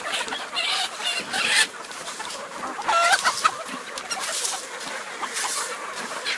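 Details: Crowded flock of roosters and hens at feed time on a farm: a constant wash of clucking and chattering. Several louder surges of many birds at once can be heard, with a brief whistled squawk among them.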